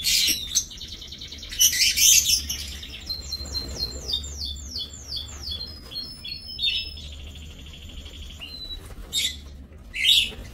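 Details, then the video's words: Aviary lovebirds, 7 June 2024: loud high chattering bursts followed by a series of quick rising whistled notes and sharp squeaks, several birds calling over a steady low hum. "Aviary Lovebirds"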